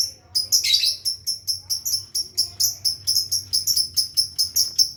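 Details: Lovebird learning the long trill called ngekek: a rapid run of high, sharp chirps repeated about four times a second throughout, with a louder squawky burst near the start.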